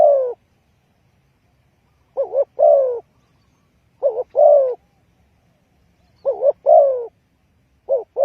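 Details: Spotted dove calling, used as a trapping lure. It repeats a three-note pattern, two brief wavering coos then a drawn-out falling note, about every two seconds, with faint low rumble behind.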